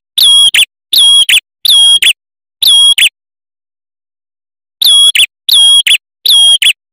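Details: Lure and tutoring recording of a male red-headed prinia: a rapid run of shrill, ringing whistled notes, four in quick succession, a short pause, then three more. No other sounds.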